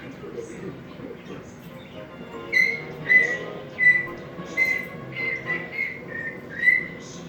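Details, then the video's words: Ten-month-old African grey parrot making sounds and trying to talk: short clear whistled notes, some slurred or rising, repeated irregularly over a murmuring background of room noise. "10 month old African Grey is making sounds and trying to talk."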